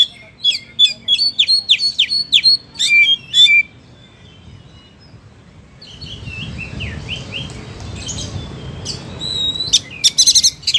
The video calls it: Suara Burung Kacer Gacor